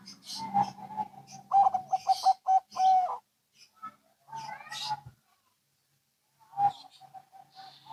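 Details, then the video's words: Local and Bangkok zebra doves answering each other; a run of rapid, evenly spaced low coos ends in a longer drawn note, then fainter coo trains after a gap, with scattered rustling and clicks. "Perkutut Lokal & Bangkok Bunyi Saling Bersahutan"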